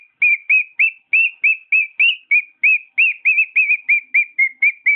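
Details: Domestic cockatiel song as a steady string of about seventeen clear whistled notes, roughly three per second, each note slurring slightly downward, in a quiet room.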